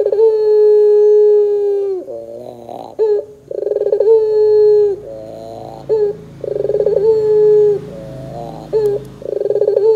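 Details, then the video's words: Lure recording of a puter pelung dove to make doves sing: a held low coo, then several cycles of buzzy broken notes, fast stuttering pulses and long, steady, low drawn-out coos with downward-falling ends. "PANCINGAN PUTER GACOR 100% JOSS TERBAIK 2024, PUTER BAHAN BAKALAN PASTI CEPAT NYAUT BUNYI !!!"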